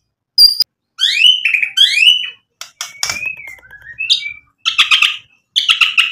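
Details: White-rumped shama in vigorous song packed with fill-in material, used as a lure to provoke rival birds into answering: separate high whistled phrases, rising and sliding notes, and buzzy rasping bursts, with short pauses between.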